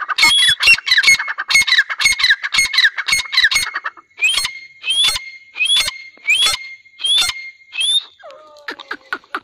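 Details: A pair of grey francolins give loud, shrill, squeaky notes, first in a fast run, then as spaced phrases about every second, ending with a few lower nasal notes.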